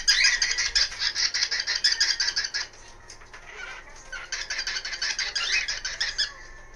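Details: Captive cockatiel at home around 1 pm, letting loose its routine "kikiki" calling: a fast train of grating, scratchy notes roughly three per second. The notes pause briefly, then resume in a second, slightly rougher run.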